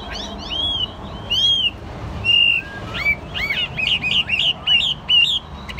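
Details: Chinese hwamei kept in a cage, delivering clear sustained whistles followed by a rapid sequence of bright, upward-looping and warbled notes, loud and close.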